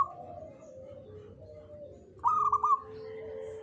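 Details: Local Jogoboyo zebra dove, a bird said to invite good fortune, gives a short bright burst of rapid bubbly notes midway. Softer, lower drawn-out cooing from other doves runs throughout.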